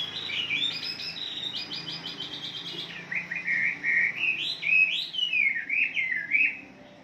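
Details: Wambi song used as a morning lure to get caged birds singing: high, chattering phrases, first a rapid stuttered run of notes, then looping whistled slurs that rise and fall.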